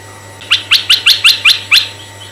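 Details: Red-eyed bulbul song meant to draw in male and female bulbuls: seven loud, crisp chirps in a brisk even series, each a quick up-and-down note, with a faint background hum.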